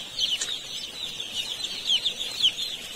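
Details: Baby chicks crowded in an Indian poultry farm peep constantly; high, piercing downward-slurred notes overlap, with a few louder individual cheeps standing out near the end.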